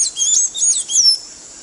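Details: Blue-gray tanager tutor recording for teaching a bird to sing: three brief, squeaky, swooping high notes, the last one a longer descending slur, over a faint hiss.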